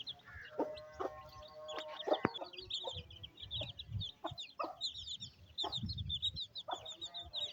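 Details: A mother hen feeds her chicks on a rainy day in village Pakistan; quieter scene of high, continuous chick cheeping, a few soft clucks, a brief tonal hum and a sharp tap.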